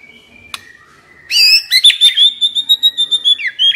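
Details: White-rumped shama decoy bird delivering a sustained whistled phrase broken into rapid pulses, with a falling slur near the end, after a quiet start.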